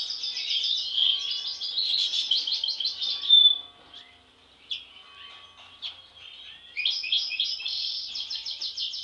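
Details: European goldfinch siblings, two with a mask anomaly since birth: a rapid rattling twitter ends with a clear whistle, near-silence with isolated chips follows, then the fast buzzy trilling returns.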